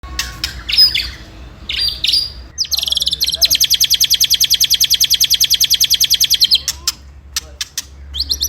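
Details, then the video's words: Caged white-rumped shama used as a lure to provoke rival birds into fighting mood: a few sharp chirps, then a long, fast, regular rattle of high clicking notes, about three per second, lasting nearly four seconds, over a low electrical hum. "Pancingan Murai Paling Ampuh !! ketrekan kramat | 99.9% langsung ikut emosi ( shama bird fighter )"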